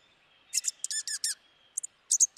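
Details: Dark-eyed junco giving a short burst of high, clipped chip notes in quick clusters, with a brief pause before a few sharper chips; a quiet background.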